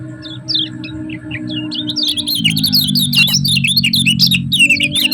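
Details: Kecial kuning from Lombok, 'ciak ciak' training sound: a few spaced high falling chirps build into a fast, busy chatter of piercing wavering notes, with a low mechanical hum throughout.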